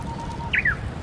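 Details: Closing flourish of a wild Japanese bush warbler's song by the Tsurumi River: a faint low held tone, then two quick loud slurred notes falling in pitch, over low background rumble.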